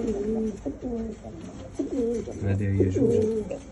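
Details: Homing pigeons, said to want to mate, give a dense run of throaty, rolling coos repeated rapidly, with a low rumbling undertone in a small indoor space.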